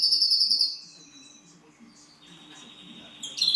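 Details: European greenfinch and canary hybrid singing. A fast, high, buzzy trill rattles for under a second, then goes quiet with faint soft notes. A lower sustained tone follows, and a sharp high trill bursts in at the end.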